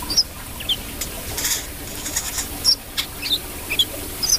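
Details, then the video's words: Brown-throated sunbird calling: bright, high-pitched chips scattered irregularly, some paired, against soft ticking and a low hum. "KOLIBRI KELAPA GACOR"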